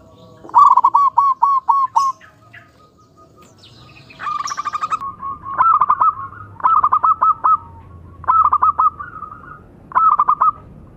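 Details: Paired male and female local zebra doves, used as tutor birds, sing their perched song. A fast run of six notes opens, then comes a long series of short bursts of four or five rapid bubbling notes, each bridged by a brief coo.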